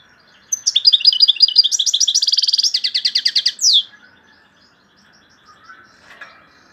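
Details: Algerian European goldfinch singing loudly: twittered notes lead into a dense rattling trill, ending in a sharp downward-swept note, then quiet with faint chirps.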